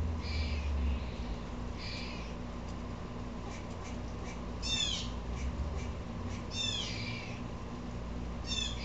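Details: Upset Blue jay calling, also agitating squirrels: harsh, descending, buzzy calls in short bursts, some doubled, scattered irregularly over nine seconds above a steady low hum and background rustle.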